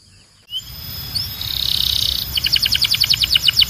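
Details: Belgian canary song: a sustained high trill builds after a burst of noise, then breaks into a quick pulsing series of bright high notes over a steady low background hiss.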